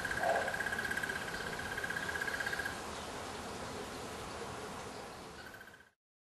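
A crested barbet gives a long, even, rapid trill, like a ringing alarm clock, for almost three seconds, then starts again briefly, over a steady hiss of background noise.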